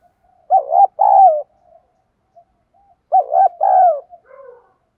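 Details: Spotted dove giving a rousing challenge-style coo, known locally as thúc đấu gáy, meant to provoke wild-caught birds into calling; two low, mellow cooing phrases about two and a half seconds apart, each a short note followed by a longer wavering coo, with otherwise silent background.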